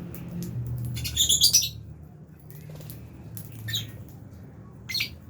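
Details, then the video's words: Albino and Fisher's lovebirds in an aviary cage give a few short harsh squawks, one burst of several notes then two brief single calls, over a low background hum. "Lovebirds Chirping Sounds"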